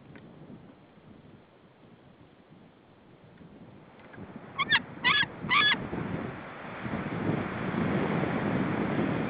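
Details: Female white-tailed eagle calling at her nest in Saunja, Estonia, at 16:48 on 24 March 2013, with no reaction from her mate. Three short, harmonic yelping notes come in quick succession over a steady rushing, wind-like background.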